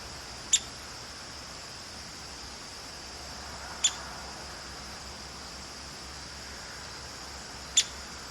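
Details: Talkative female downy woodpecker gives three crisp, high-pitched single pik notes, spaced roughly every three and a half seconds, against a quiet background with a constant faint hum.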